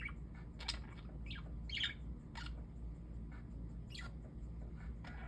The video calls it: Parakeets chirping